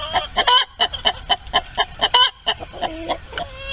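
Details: Chickens in a barnyard coop while laying eggs: rapid, uneven clucking with ringing harmonics, several loud nasal squawks mixed in, ending with softer drawn-out clucks.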